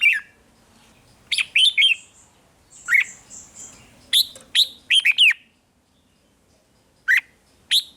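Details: Red-whiskered bulbul singing, used to stir caged birds into excitement: bursts of bright, slurred whistled notes in short clusters, with a thin high steady whistle in the gap and brief silences.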